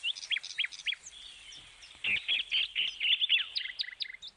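Parrots give high, sharp chirps in quick bursts, then a run of fast, scratchy chattering notes with brief squeaks toward the end.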